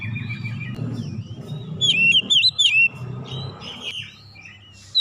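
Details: Kacer (oriental magpie-robin) singing hidden isian phrases: after a stretch of low rumbling noise, a burst of four loud looping whistles, then softer scattered chirps.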